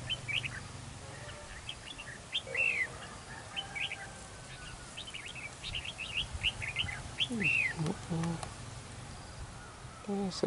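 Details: Red-whiskered bulbul singing as a decoy at a fighting trap, with a wild bird drawn into a territorial contest. Short whistled, arched phrases repeat quickly and overlap, with rising and falling notes and some lower chirps near the end.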